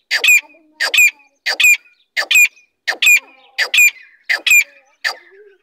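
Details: Big female grey francolin calling: eight loud, harsh double-noted squawking phrases repeated steadily about every two-thirds of a second, with little else heard.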